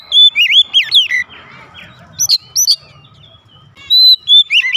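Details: Loud answering song of a home-kept oriental magpie-robin, looping whistled phrases, then a lull with faint rustling, followed by sharp rising notes and another burst of clear whistles.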